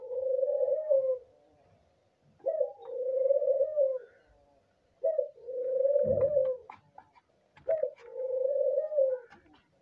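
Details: Albino dove cooing while breeding, four long, even, low-pitched coos each opened by a short rising note, spaced roughly every two and a half seconds, with light clicks and tapping between them indoors.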